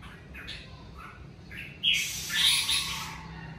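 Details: Red-whiskered bulbul in the covid season giving a few soft whistled notes, then a loud harsh, broadband burst of sound lasting over a second.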